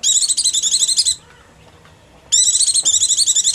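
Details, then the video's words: Oriental white-eye giving hungry or frightened calls, used as a lure for small birds: a fast, high, twittering chatter of rapid notes lasting about a second, a short silence, then another long chattering burst. "Mp3 Pleci Paling Ampuh Tiada Banding"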